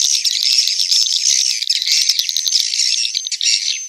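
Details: Swiftlet roosting call recorded inside a successful swiftlet house, played to lure swiftlets to roost: dense, continuous high chattering twitter with thin whistled streaks, many birds overlapping without pause.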